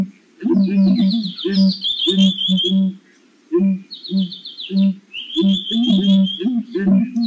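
Southern ground hornbill giving deep, hollow booming notes in quick bursts, while a smaller bird sings high, thin descending trills over the top.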